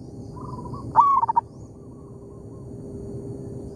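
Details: Local zebra dove answering a decoy bird in an oil palm plantation: a soft, low trilled coo, then one loud phrase of a rising slur followed by three quick clipped notes.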